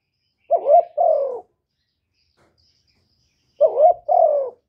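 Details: Spotted dove calling with cooing: two matching phrases about three seconds apart, each a wobbling rising coo followed by a smooth, drawn-out descending coo, with silence between.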